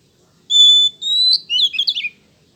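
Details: Oriental magpie-robin (kacer) song, played as pancingan bait so male birds respond quickly. Two long, clear, steady whistles, the second rising slightly, then a fast jumble of sharp chirps and twisting notes.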